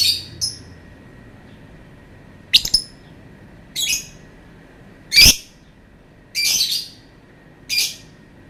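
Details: Lovebird giving long calls: sharp, shrill, harsh chirps and squawks in separate bursts about every one to one and a half seconds, with quiet pauses between them over a low steady background hum.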